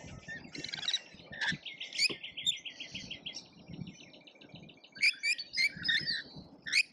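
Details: Lorikeets at a feeder in Australia during a feeding frenzy: rapid buzzy chattering runs, then sharp shrill squeaks repeated in quick bursts, several birds overlapping, with low rustling underneath.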